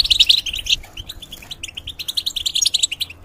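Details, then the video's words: Caged European goldfinch opening with a loud cluster of sharp chirps, then a string of evenly spaced short tinkling notes and quick twitters. "The Talk And Sounds Of The Goldfinch"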